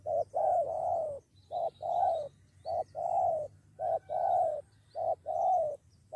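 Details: Lured spotted doves squaring up to fight, two against one: rapid, rhythmic doubled coos, short then drawn-out, repeating roughly every second with faint high chirps behind.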